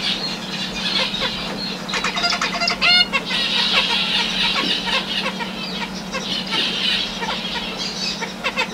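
A male zebra finch sings a fast, buzzy courtship song of nasal, stacked notes to a female.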